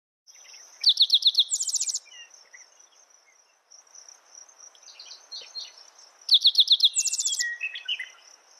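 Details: Spotted towhee song given twice, about five seconds apart: a quick series of sharp descending notes followed by a dense, buzzy high trill. A steady high insect-like hum runs throughout, with faint chirps from other birds between phrases.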